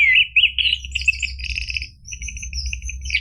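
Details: Rapid, continuous warbling from an orange-headed thrush, recorded to encourage a quiet caged bird to start singing. It begins with a rising whistle and moves into fast trilled, stuttering notes that gradually soften, with a low hum behind.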